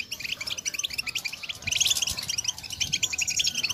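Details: European goldfinch twittering, the style called 'batbata', used to stir a silent caged goldfinch into singing; dense rapid high chirps and short trills run without pause, overlapping, and grow louder after the middle, set among outdoor bird sounds.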